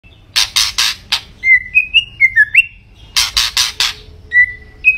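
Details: White-rumped shama (murai batu) in full song: bursts of harsh, broadband rasping notes alternate with clear whistled phrases that slide up and down, then more rasps and a final pair of whistles.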